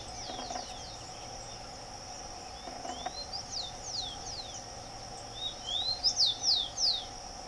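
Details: Rufous-collared sparrow (Zonotrichia capensis) singing in nature: after quiet faint notes, a clear phrase of two rising whistles then three quick descending slurred whistles, over a steady insect-like hum.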